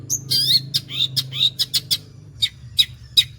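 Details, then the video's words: Long-tailed shrike singing in rapid sewing-machine style: a dense run of high, thin whistles and clipped chirps, then several spaced single sharp notes, with a faint low hum beneath. "CENDET GACOR MATERI TOP BOLO SPITNYA SPEK MESIN JAHIT"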